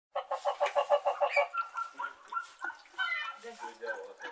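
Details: Domestic white geese honk in a quick run of about eight nasal notes, then break into looser, uneven honks and gabbling from several birds.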